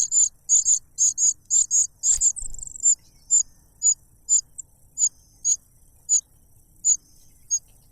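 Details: Young cuckoo begging loudly while snatching food from a foster parent that plugs its mouth with a butterfly; quick clusters of shrill, high chirps, then spaced single squeaks about every half second.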